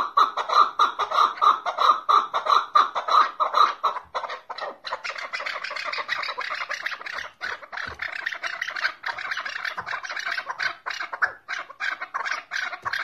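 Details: Chukar partridge, the mountain keklik of Tajikistan, calling in a run of evenly spaced clucking notes for about four seconds, after which the sound turns into a dense, noisy chatter of overlapping calls.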